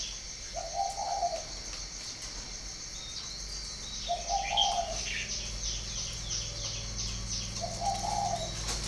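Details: Spotted dove from a breeding garden in Ba Vì, northern Vietnam, giving three separate low, hollow coo phrases spaced several seconds apart, over faint high chirps from other small birds and a steady background hiss.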